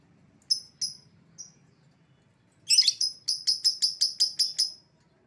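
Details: Escaped-lovebird recall sound: a few isolated sharp chirps, then a dense harsh burst followed by a rapid even series of about nine shrill high notes.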